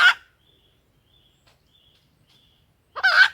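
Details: Lure call of a female junglefowl, meant to make wild males crow: two loud, rough squawks at the start and end, separated by near silence with faint high whistles.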